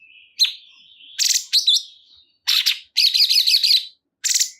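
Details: A cungkok bulbul gives a soft whistle, then sharp harsh chips and a rapid warbled chatter of looping notes, ending with one more rasping burst.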